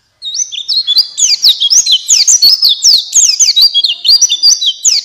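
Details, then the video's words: White-eye of the buxtoni type, used as a lure to get other white-eyes singing: a fast, continuous run of high, sharply slurred chirps and twitters, dense and unbroken, with brief whistled notes at the start. "Pancingan Pleci Cepat buka paruh Gacor Ngalas Bukpar"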